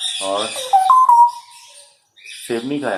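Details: A grey parrot named Cherry, which speaks Urdu words and phrases, utters speech-like words, then a clear, steady whistle that falls slightly, and after a pause more voiced, word-like phrases.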